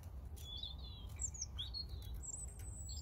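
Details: European robin singing: a short run of thin, high warbled notes, then sliding whistles and a very high drawn-out thin note, over a steady low rumble.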